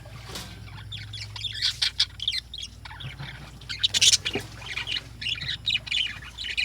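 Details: Morning lovebird chatter: bursts of high, grating squawks and twittering chirps from a group, with one especially loud shriek near the middle over a steady low hum.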